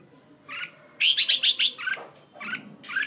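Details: Red-whiskered bulbul kept as a decoy bird in Hanoi, Vietnam, giving a quick burst of five bright, slurred warbled notes after a soft opening phrase, then a few scattered chirps, over a low background hum.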